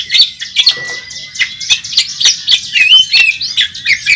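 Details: Oriental magpie-robin at a bird contest uttering a brisk series of chirps and short whistled notes, one thin steady whistle early on, roughly three notes per second.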